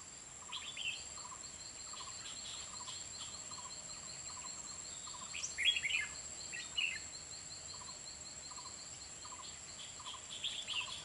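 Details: Red-whiskered bulbul decoy bird singing late afternoon on 30 March 2021 at a trapping site in Kim Bôi, Hòa Bình, luring wild birds into a trap; bright warbled bursts over a steady train of short repeated low notes, with a faint high background hiss.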